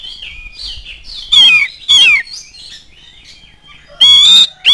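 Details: Oriental magpie-robin song meant to provoke other magpie-robins into singing: quiet, sweet sustained whistles broken by three loud, drawn-out, downslurred and level whistled phrases.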